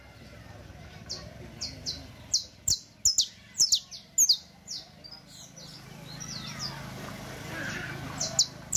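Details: Saffron Finch (canario criollo) song for teaching young birds: bursts of high descending chips in quick succession, some louder runs midway, with soft background noise.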